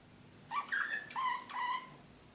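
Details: Soft whistled phrases from an excited Serbian slavujar canary in Belgrade, 2016: three clear, level, flute-like notes, each held about half a second, quiet against a background hiss.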